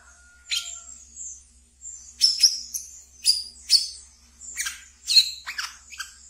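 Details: Brown-throated sunbird (wiceh) kept as a pet, singing ngeriwik style as a training lure: brief faint whistle at the start, then thin high chips and sharp squeaks at uneven intervals.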